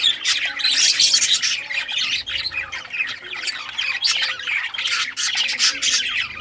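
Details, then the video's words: Budgerigars in rare colours chirping while playing with toys, recorded 18 June 2023: busy overlapping warbles and harsh squawks, broken by frequent sharp click-like taps and short bursts of louder chatter. "Budgies all rare colors playing and chirping sounds playing with toys"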